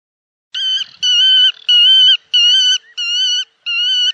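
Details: Black-tailed godwit on the Bug river giving six loud, nasal, slightly rising notes, each about half a second long, repeated in quick succession with no other sounds.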